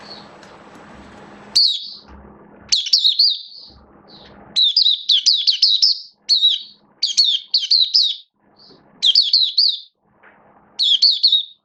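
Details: Oriental white-eye (mata puteh), a kept hobby songbird in build-up form, 19 September 2022: high, rapid chirping phrases of quick twittering notes in bursts about a second apart, with faint low hum and shuffling at the start.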